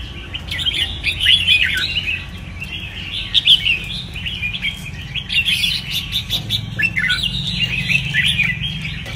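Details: Caged red-whiskered bulbul delivering a long run of chattering, warbled whistles, fairly continuous with rising and falling notes, amid low rumbling background noise.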